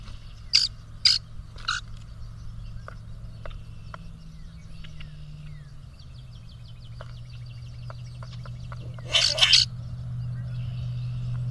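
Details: Two male grackles competing for a female with puffed-up displays; three sharp harsh squeaks open, then soft scattered clicks over a low hum, and a final crackling burst.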